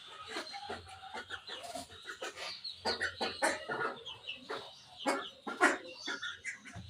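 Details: Pet budgerigars in the morning giving sharp, clipped chirps and scratchy chatter in quick irregular bursts from several birds, with a faint low mechanical hum behind.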